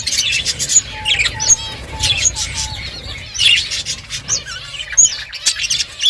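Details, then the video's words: Several budgies chatter while feeding. Quick warbled chirps come in bursts, and a lower, steady whistled note repeats several times between them. "Beautiful budgies colour eating and chirping sounds"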